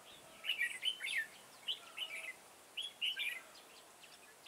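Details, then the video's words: Decoy red-whiskered bulbul singing in a garden trapping session on 9 October 2017, giving short lilting whistled phrases of three or four notes, separated by pauses of about a second. "Bẫy chào mào Đầu gấu nhất vườn"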